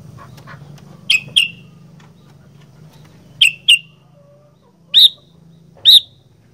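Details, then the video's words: Sooty-headed bulbul in 'gacor fighter' form: two quick pairs of crisp high chirps, then two single louder notes, over a constant low hum. "Burung Kutilang Gacor Fighter"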